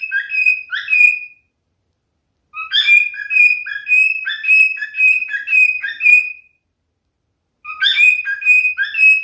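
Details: Singing male cockatiel: a short whistled burst, then a longer run of warbled, fluting notes lasting about four seconds, and a final phrase starting after a pause. Clean recording with no background sounds.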